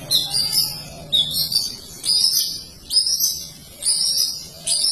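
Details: Long-tailed shrike singing a dense, lively song: short bright high-pitched twittering phrases, each about a second long, repeated roughly once a second with brief gaps between.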